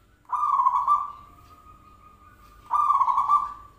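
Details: Zebra dove lure call: two rolling coos about two and a half seconds apart, linked by a thin sustained tone.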